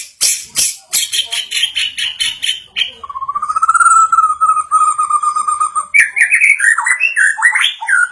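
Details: White-rumped shama reportedly becoming agitated on hearing a played sound; rapid buzzy rattling notes, a long steady low whistle over a fast pulsing rattle, then lively varied whistled phrases.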